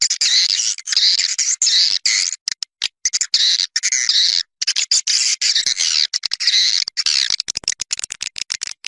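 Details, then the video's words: Malaysian outdoor swiftlet recording used as a nesting lure: nearly continuous shrill buzzing twitter, densely layered, with faint sweeping notes and brief choppy breaks toward the end. "TIẾNG CHIM YẾN NGOÀI TRỜI 2020 MADE IN MALAYSIA | ÂM THANH NUÔI YẾN 2020"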